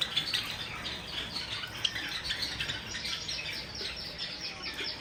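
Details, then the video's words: Several Java sparrows taking a bath give a steady chatter of short, high chipping notes, with faint wing flutters and soft splashing beneath. "Java sparrows taking bath with original sound"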